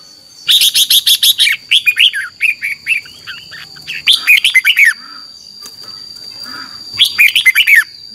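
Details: Morning competitive song of a red-whiskered bulbul, used as a lure to train and stimulate birds, in 'chè' style: three bouts of rapid bubbly, slurred whistled notes, the first a fast stuttering run, separated by short pauses over a faint steady whine.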